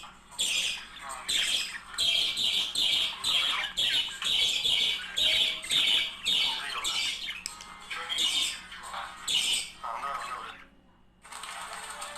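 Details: Budgerigar pair warbling to stimulate mating: a dense, fast run of scratchy chirps and squawks, about two per second, continuing steadily before a short pause and a final burst of chatter.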